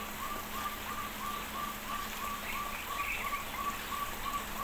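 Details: Caged crested partridge in an aviary giving brief piping whistles, roughly thirteen evenly spaced notes in under five seconds, over a rain-like hiss with faint higher twittering.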